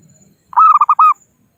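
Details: Zebra dove of a local strain calling rivals, played to lure birds for trapping: a single phrase of mellow, hollow coos, a drawn-out opening note followed by short throbbing pulses and a final sustained coo, with faint low rumble beforehand.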